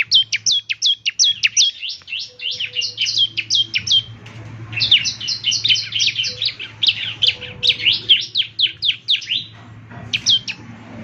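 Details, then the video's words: Bar-winged prinia (ciblek) singing in vigorous 'gacor' style, used as morning playback to make other ciblek respond. Long, almost continuous run of quick, piercing down-slurred chips with a faint low hum underneath. "ciblek semi gacor, putar tiap PAGI agar ciblek semi ikut nyaut bunyi GACOR"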